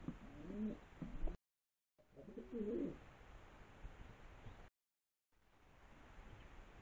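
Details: Pigeons giving deep, burbling coos in two short bursts, each lasting about a second, broken by gaps of quiet with only a low hum of the surroundings.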